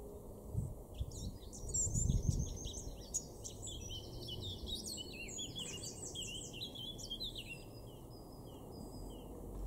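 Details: Eurasian blackcap male in a garden in Weener, East Frisia, Germany, April 2024: a bright, tumbling warble of quick chirps and slurred whistles. The song runs several seconds and ends in softer scattered notes, with low rumbling background noise.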